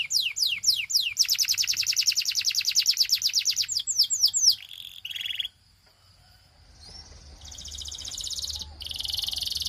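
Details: Belgian canary song: falling whistles lead into a long rapid trill and buzzy phrases, then near silence, followed by a quieter rising whistle and further fast trilled notes.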